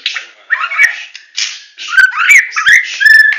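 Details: White-rumped shama from Medan giving full 'tembakan' song, here mostly scratchy chattering bursts broken by brief bright whistles and ringing upslurred notes.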